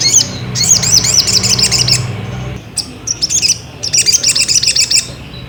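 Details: Ruby-cheeked sunbird song played to provoke another bird into singing: rapid, high, looping twittered phrases in bursts, with a low hum in the first half and brief pauses between phrases.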